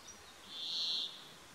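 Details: Brambling singing: a single drawn-out, wheezy buzzing note lasting about half a second, steady in pitch and fairly high, against quiet background hiss.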